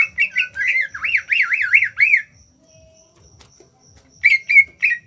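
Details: Rapid wavering trill from a greater green leafbird native to Kalimantan, small-bodied and singing in the ngentrok manner, rising and falling evenly for two seconds. After a pause come three clipped whistles.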